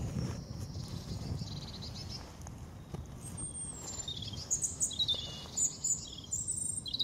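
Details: European robin song in the Veerse bos woods, dated 080314; faint high phrases at first, then clearer sharp, tinkling trills and thin whistled notes in quick succession, set against low-pitched rumbling background noise.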